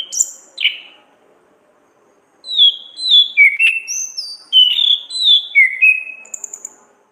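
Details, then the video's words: Orange-headed thrush in the gacor ngeplong ngriwik singing style, played as a training recording for songbirds: two sharp whistled notes, a two-second silence, then a quick series of clear, downward-slurred whistles with a few thin, very high notes. "burung Anis kembang ngeplong gacor ngriwik"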